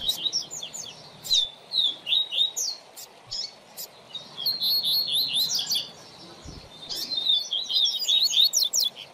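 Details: Double-collared seedeater tutor song for training young birds: sweet, high slurred whistles and quick chirps in rolling phrases with short breaks between them.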